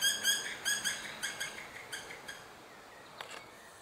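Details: Black woodpecker at a nearly abandoned nest, parents calling to coax the last juvenile out. A quick string of about ten ringing, harmonic notes slows and fades over two seconds, then faint clicks.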